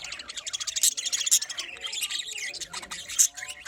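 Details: Several pet budgerigars in a small colony chirping together, a dense overlapping chatter of bright, high twittering notes and warbles with occasional sharper squeaks, continuous throughout.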